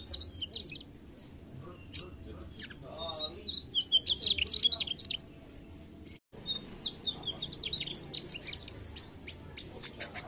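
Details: Mugimaki flycatcher in full, vigorous song: quick bursts of high, thin chirps and twittering notes that rise and fall, a brief silent break partway through, then more scattered bright twitters over a low steady background hum.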